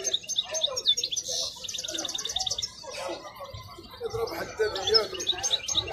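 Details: Goldfinch song from a wild bird at the Al-Qurai'a market: sharp high chips repeated rapidly, a short buzzy rattle, then more liquid twittering notes, with murmured speech and other caged birds around.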